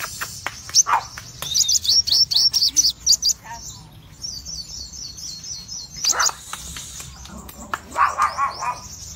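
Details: Crimson sunbird, cremino with red eyes, in ngobra song: short runs of sharp, high twittering broken by quiet gaps, with a few lower warbled notes and faint background noise.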